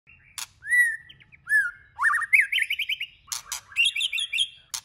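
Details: White-rumped shama song used to stimulate other shamas to sing many voices: clear whistled notes, some sliding down, then rapid rising trilled runs and varied jumbled phrases, with sharp clicks between.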